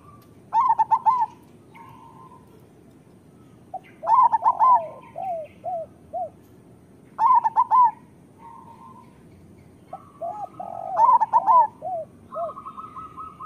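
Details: Local zebra dove singing as a training model for doves: four loud phrases of fast, warbling coos spaced about three seconds apart, with soft descending coos and brief trills from other doves between them.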